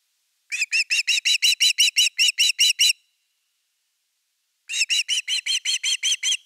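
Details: Osprey at nest #3 in Finland, 30 August 2021, around an evening fish: two bursts of sharp whistled chirps, each about a dozen evenly spaced notes, separated by a silent pause of nearly two seconds.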